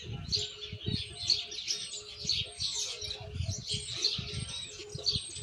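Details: Young Argentine white jilguero working on misisipi-style song: continuous high, twittering chirps in rapid clusters, accompanied by low rumbling knocks and a constant faint hum.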